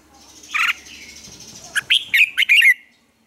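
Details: A Red-whiskered bulbul in morning singing practice gives a harsh buzzy note, then a run of four or five bright, rolling whistled notes in quick succession.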